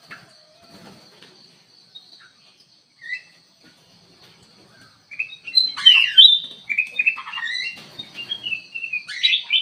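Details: Black-crested bulbul in an aviary, a lure bird singing energetically: a few sparse chirps and quiet stretches, then a dense outburst of fluty slurs and rapid chirping notes, with a high continuous background whine.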